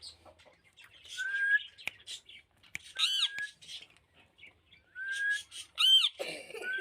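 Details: Captive rose-ringed parakeet vocalizing during talking, mixing short rising whistles with sharp, ringing screechy bursts and brief clicks, fairly close and loud.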